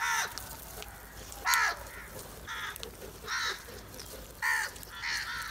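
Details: A big flock of black crows going for cheese calls repeatedly: harsh, nasal caws spaced roughly one second apart, some louder and closer, others fainter in the distance.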